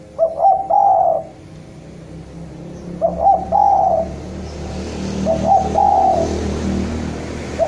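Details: Spotted dove (Javan derkuku) calling a rival: three rough, wavering coo phrases at about three-second gaps, each with short stuttering notes then a longer hoarse coo, over a steady low hum and background noise.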